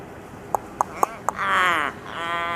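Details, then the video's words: Chatty Australian raven, subspecies coronoides, in Sydney making an amusing variety of sounds: four sharp clicks, then a drawn-out harsh nasal caw and a second, fainter strained note. "Raven making strange sounds."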